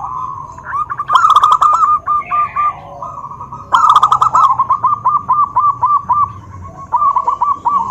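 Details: Zebra dove (perkutut) voice meant to stir other doves to reply: loud bursts of rapid bubbling coos, each phrase trailing into a string of clipped, evenly paced notes, repeated three times with brief pauses between.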